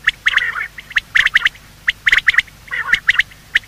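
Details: Quail, male and female, calling in the morning, a sound used to lure them when hunting: short sharp notes in tight groups of two to four, with gaps of about half a second between groups.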